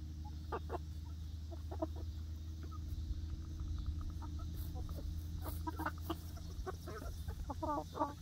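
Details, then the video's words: Flock of young laying hens exploring their new outdoor backyard coop run on day one, with brief clucks and squeaky notes coming in clusters, some louder near the end, above a constant low background drone. "Young Chickens 1st Day in New Outdoor Backyard Chicken Coop Run"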